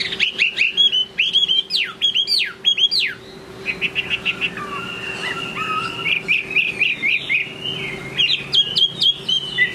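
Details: Loud, varied Chinese hwamei song late in the afternoon, starting with sweeping whistled notes, then softer warbling and a run of rapid repeated whistles, over a low steady hum.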